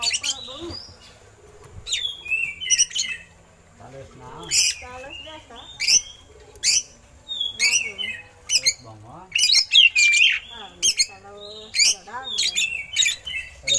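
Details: Oriental magpie-robin song with eagle-call imitations, used as a master recording for training other birds: a varied stream of sharp high chips, harsh buzzy bursts and short slurred whistles in irregular quick phrases, with fainter lower warbling notes beneath.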